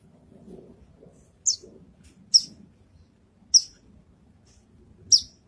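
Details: Lark singing on a contest stage in Indonesia, giving sharp high chirps that slide downward, four spaced about a second apart, over a low murmur of crowd noise.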